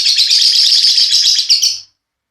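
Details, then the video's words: Lovebirds of the Paud type being paired, giving a dense burst of high, rapid chirping chatter that stops abruptly after under two seconds. "Penjodohan Love Bird Paud"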